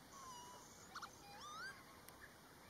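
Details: Pied avocet in a Dutch breeding colony in mating season, attacking and chasing black-tailed godwits; clear whistled notes, a long falling whistle then a rising sweep, with a short double note between and faint chatter behind.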